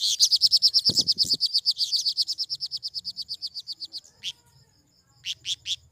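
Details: ['Rapid, even trill of about forty high, sharp notes over four seconds from a flowerpecker, ending with a few isolated buzzy chips; a low knock sounds early.']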